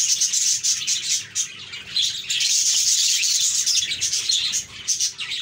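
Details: Happy budgies chattering together, a dense, continuous stream of high, scratchy chirps and warbles that swells and dips in loudness, with brief quieter gaps near two and five seconds.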